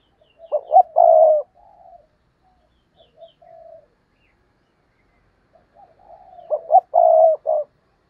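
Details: Spotted dove decoy calling to lure wild doves: two loud phrases of rapid short coos ending in a long throaty coo, several seconds apart, with a few soft coos between.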